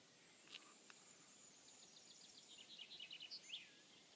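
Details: Wild bird singing in Cartmel Fell churchyard: a faint high thin note, then a quick series of short high chirps accelerating into a trill, over steady hiss of outdoor background noise.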